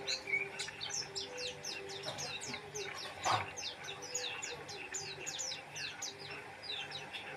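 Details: Oriental white-eye (pleci) singing vigorously: a rapid, continuous run of thin, high, sharply falling chirps and twitters with no breaks, a soft thump about midway, and faint low hum underneath.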